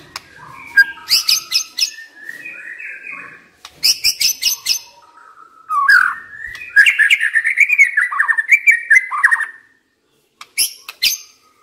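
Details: Decoy white-rumped shama kept in a cage, singing bursts of high chattering notes alternating with rich, rolling whistled phrases, ending in a long fluty warble before a pause and a final high chip.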